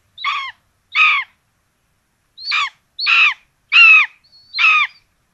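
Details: Rabbit breakfast for two common buzzard chicks at a nest in Tiszalök, Hungary, 26 June 2022; six rough, nasal squawks in uneven spacing, a short pause after the second, some starting with a thin whistled lead-in.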